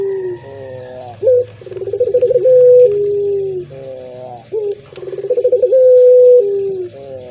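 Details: Puter pelung dove repeating its drawn-out coo: quick pulsed stammers build into a long, flat, sustained note and then a lower sliding tail. Two full phrases, with soft wavering tones and a faint click between them.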